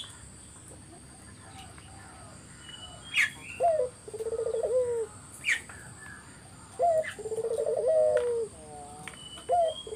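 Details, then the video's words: Spotted dove song played as a lure so other doves reply: two phrases, each a short rising coo followed by a rapid rolling trill ending in a falling note, separated by pauses, with sharp chirps from other birds. "Burung puter mana yang ga ikut nyaut kalo dengar GACORAN puter ini"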